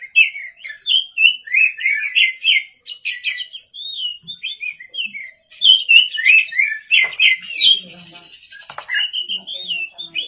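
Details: White-rumped shama singing energetically at night: a long run of varied whistled and chattering phrases, rich and rapidly changing, with brief pauses and some buzzy notes near the end.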